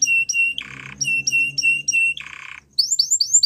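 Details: Belgian canary training song with steady whistled notes alternating with harsh buzzy squawk-like bursts, then a quick rising chirp series at the end; low hum beneath.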